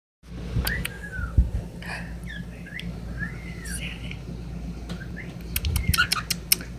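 A cockatiel sings a string of clear, arching whistles that rise and fall, spaced irregularly, with soft clicks and a steady low indoor hum.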